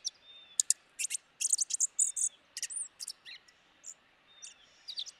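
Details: Dark-eyed junco giving chatter calls: quiet, scattered high sharp chips and short twittering bursts, irregularly spaced, with a few faint thin whistled tones underneath.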